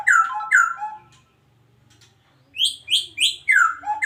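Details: Adult breeding male white-rumped shama from Medan in a breeding cage, giving loud clear downslurred whistles in pairs, a short pause, then a rapid series of rising and falling rich whistled notes.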